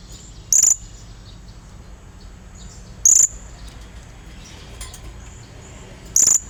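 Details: Blue-crowned hanging parrot, calling vigorously as a lure to call a rival: three sharp, very high chirps spaced about two and a half seconds apart over a faint steady hiss.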